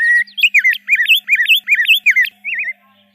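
A Rose-breasted Grosbeak sings a sweet, rich warble of quick, looping whistled notes, robin-like but smoother, over a faint low hum.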